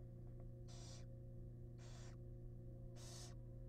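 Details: Wild barn owl family in a monitored nest box, the male bringing in a large rat: three loud, rasping hisses, each about a third of a second, spaced roughly a second apart, with a constant electrical hum beneath.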